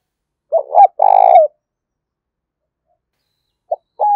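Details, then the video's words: Decoy spotted dove calling to lure wild doves. A quick two-part note leads into a long, rough, vibrating coo. A further short note and the start of another coo follow after a pause. "tiếng chim cu mồi thúc và gáy gọi"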